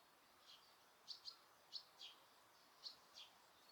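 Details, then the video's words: Quiet Osaka Castle Park, Japan, with noise reduction: a handful of thin, high, short chirps, some in pairs, over a steady soft background hiss. "大阪城公園 鳥の鳴き声"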